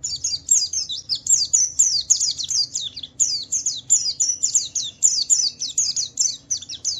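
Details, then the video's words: Javan white-eye song for prompting other white-eyes to sing: continuous fast high chirps, each sweeping downward, repeated several times per second in rolling phrases with a brief break near three seconds. "Suara burung Pleci Wiklus Wiksar memancing Pleci lain cepat cepat bunyi gacor"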